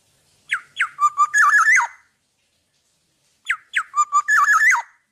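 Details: Two fluty phrases from a tame, cage-free Black-naped oriole in full song, each opening with two falling whistles and running into quick warbled, liquid notes before stopping abruptly.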